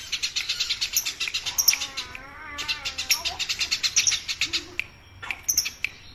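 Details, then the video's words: Eurasian tree sparrow chattering for songbird training: fast strings of sharp chirps, while a lower wavering, mewing sound rises and falls for about a second in the middle. "masteran Burung Gereja: Si Kecil Bersuara Ramai"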